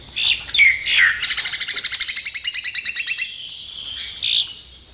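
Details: Jalak nias, the common myna, singing: a few harsh squeaky notes, then a long fast rattle of about twenty evenly spaced buzzy pulses, ending with a short harsh burst.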